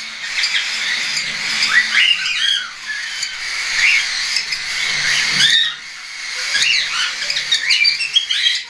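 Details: Young hand-tame cockatiels, some weaned and some not yet, flying about, recorded 10 September 2012: a busy chorus of overlapping harsh, rising screeches in dense bursts, with a short lull near the middle, over a steady hiss.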